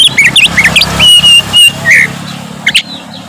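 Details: Oriental magpie-robin gacor ngeplong song said to agitate other magpie-robins: short twisting whistles and drawn-out whistled notes over loud low background rumble.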